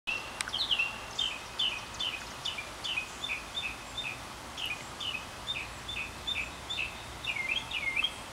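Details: Northern mockingbird singing near a porch in a long cycle lasting at least thirty minutes; rapid chirped phrases, each repeated several times, about two per second, before switching to new notes, over faint breezy background.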